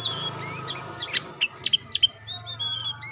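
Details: Oriental magpie-robin, pastol type: a few thin high whistles and a quick series of sharp clicking chips, over a low droning hum.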